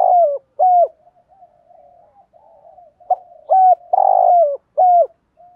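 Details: Spotted dove cooing, a recording used to stir decoy doves and lure wild ones: short, hollow, slightly descending coo notes in quick pairs, with softer murmuring coos between them and a louder drawn-out coo near the end.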